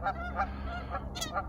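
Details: Several geese squabbling in a skirmish at a pond give loud, nasal honks in quick overlapping bursts, roughly three or four in a second and a half, over low background rumble; April morning.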